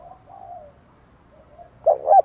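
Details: Spotted dove cooing to provoke wild birds: quiet low background sounds, then near the end a short loud double-pulsed coo that is cut off.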